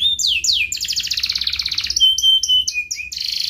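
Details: A canary in full ngerek song, meant to coax young birds to learn and idle canaries to sing: quick falling slurs, a long buzzing high rattle, then short clipped whistles and a flat sustained tone.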